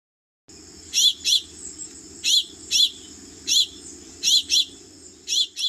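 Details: House finch calls: short, abrasive, scratchy "cheap" notes, often in quick pairs, given about every second over a steady high hiss.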